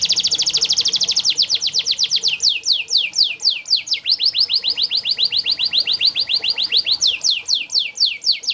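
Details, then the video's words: Canary tutor song for lazy singers: a loud, fast, high trill that shifts into a long run of steeply falling whistled notes, several per second, with a bright rattling quality. "Burung KENARI malas bunyi Terapi untuk burung kenari masteran canary"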